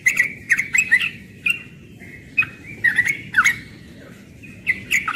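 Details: Young yellow-vented bulbul in morning 'ropel' song, delivering clustered bursts of liquid, chattering warbled notes separated by brief gaps.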